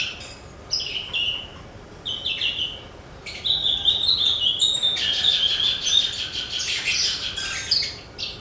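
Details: Javan bush lark song meant to make other songbirds sing: separate high whistled phrases, then a long rattling buzzy trill held for several seconds, ending in a brief chirp.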